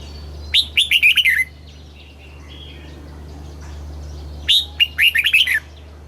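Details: Southern master-style song of a caged red-whiskered bulbul, played to rouse caged birds and teach chicks. Two loud, rapid phrases of six or so bright, descending warbled notes, separated by a quiet gap of about three seconds.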